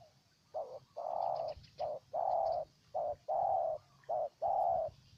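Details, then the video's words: Close spotted dove calling in Ninh Thuận, Vietnam: four rhythmic couplets of soft, mellow coos, a brief note then a drawn-out one, evenly spaced over five seconds against a faint low rumble. "Cu Gáy Ninh Thuận"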